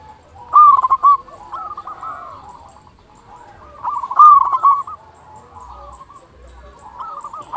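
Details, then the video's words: Zebra dove recording used to draw out calls from other zebra doves: loud bursts of clipped, trilling coos at irregular intervals, separated by quieter coo phrases from other doves. "Perkutut lokal gacor suara paling ampuh untuk pancingan burung perkutut agar cepat bunyi"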